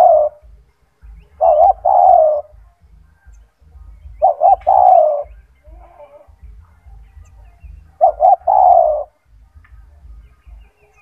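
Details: Spotted dove (tekukur), a strong and loud gacor singer offered as a training model, repeats its cooing phrase three times at roughly three-second intervals: brief stuttered notes ending in a longer mellow descending coo, with quiet gaps.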